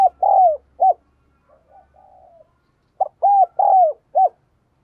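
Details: Spotted dove used as a decoy to stimulate and excite males: two mellow four-note phrases, a short coo, two drawn-out arched coos and a clipped final note, separated by soft low murmured cooing.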